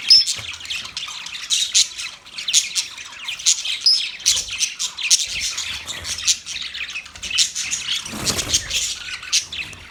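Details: Flock-like chatter of budgerigars: quick, high, scratchy chirps and tiny whistled notes tumble over one another in a near-continuous stream, with a short low rustle toward the end.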